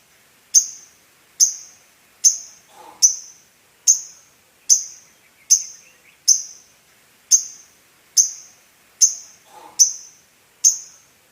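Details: Female lovebird calling to attract a male: a sharp, shrill, high chip repeated roughly every 0.8 seconds, about thirteen notes in a steady series, each cut off quickly, over an otherwise quiet background.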